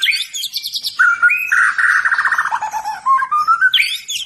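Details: White-rumped shama of the Medan variety singing a loud, varied song: chattering trills and rapid note runs, then low whistled phrases that dip and rise again, ending in high sharp chirps.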